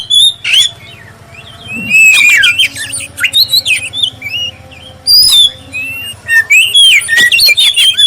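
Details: Clear-voiced black-breasted oriental magpie-robin sings a prompting song to spur other magpie-robins: bursts of loud whistles and scratchy chirps separated by brief quieter gaps, over a low rumbling hum.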